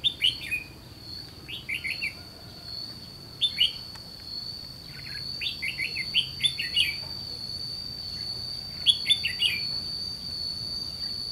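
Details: Red-whiskered bulbul, white-cheeked type, during trapping near the Gulf of Tonkin, repeating clipped, warbling three- to five-note phrases every one to three seconds, with a continuous shrill insect tone throughout.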